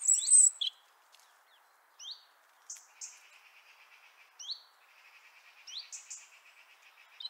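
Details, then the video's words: European robin in Liepāja, Latvia, January 2023, giving soft, scattered high song notes: thin rising whistles and clicks separated by pauses, with a faint, steady, rapidly pulsing buzzy trill running underneath. "Putni / Birds : SARKANRĪKLĪTE /Erithacus rubecula/."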